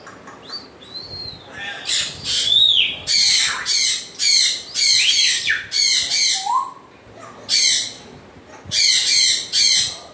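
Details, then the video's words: A string of rapid, rasping squawks from an African grey parrot, nearly a dozen harsh bursts in ten seconds, with a few rising and falling whistles between them. "african gray parrot sounds"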